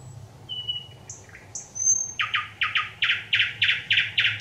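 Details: Song of a thrush nightingale, 25 May 2021: soft whistled notes and slurs open the phrase, then a long series of loud clacking notes repeated about three times a second, ending on a high flick.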